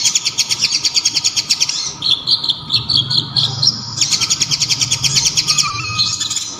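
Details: Konin, the local name for the olive-backed sunbird, singing loud and piercing, with kapas tembak filler. Long rapid high rattling trills frame a run of short whistled notes, and a low constant hum sits underneath.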